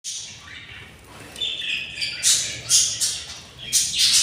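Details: Hungry budgerigar chicks, six of them, in a nest on day 24 after hatching, giving harsh, hissy rasping squawks that swell in bursts roughly every half second toward the end.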